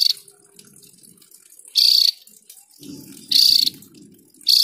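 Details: Javan grey-throated white-eye delivering loud, grating bursts roughly every one and a half seconds, while soft low rumbling noise fills the gaps.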